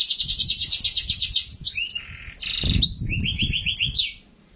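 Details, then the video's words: Atlantic canary singing energetically to lure other canaries into song: a fast rolled trill, then varied whistled and buzzy phrases, with low thumping noise in the background. "Suara Burung Kenari Gacor untuk pancingan kenari"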